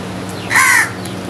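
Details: Crows calling while eating together: one loud, harsh, slightly falling caw lasting about a third of a second, over a steady low hum with faint clicks.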